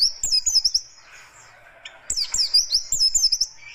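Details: Oriental white-eye of the buxtoni race, kept as a songbird, singing a harsh, fast, dense song: bursts of high, sharp, rapidly warbled whistles with quick twittering notes, separated by a short pause.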